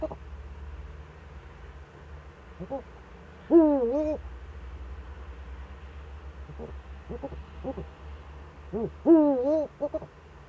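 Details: Eurasian eagle-owl in the Eifel region, recorded 4 February 2014 at 7:27: low, wavering hoarse hoots, two louder drawn-out notes with a wobbling pitch and several short quiet ones between, over a low background rumble.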